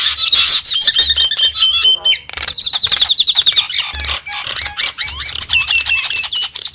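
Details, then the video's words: Nias hill myna giving a rapid series of high, bright whistles and wavy, repeated slurred notes interspersed with harsh clicks and squawks, loud and near. "the alluring sound of the Nias starling"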